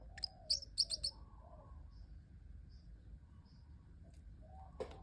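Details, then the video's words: A pet parrotlet making cute sounds: a few sharp high chirps near the start, then soft low warbling notes and faint squeaks, with a last chirp at the end. "parrotlet making cute sounds"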